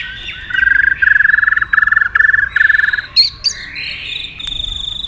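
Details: White-rumped shama, provoked into competitive singing, flicking its tail fast. A burst of five rapid buzzy trilled notes, then sharp upward whistles and a long, steady high whistled note.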